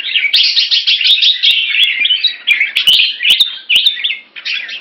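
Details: Red-whiskered bulbul kept in Singapore, sparring in rotation with a fast wing display, delivering a fast stream of bright, scratchy warbled notes, nearly three phrases a second, with sharp clicks throughout.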